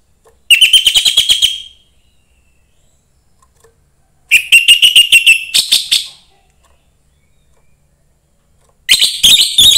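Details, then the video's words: Young forest-caught orange-headed thrush delivers three lively phrases of fast, repeated rising whistles, each over a second long and spaced by quiet gaps. The singing is used to stimulate other thrushes. "suara anis merah MUDA HUTAN meningkatkan felling anis merah lain"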